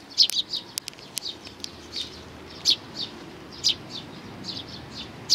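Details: Sparrow family with chicks, 11 May 2019: a run of soft and sharp high chirps, several crisp clicks early on, then spaced single notes.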